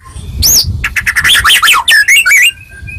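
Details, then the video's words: Brief White-rumped shama song intended to make other shamas reply: a high sweeping whistle, then a dense burst of chattering and whistled notes, with faint background noise. "Suara Merdu Murai Ini Selalu Berhasil Buat Murai Apapun Langsung Nyaut"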